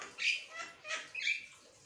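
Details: Asian pied starling chattering nonstop, giving three harsh buzzy bursts with a short whistled note in the last.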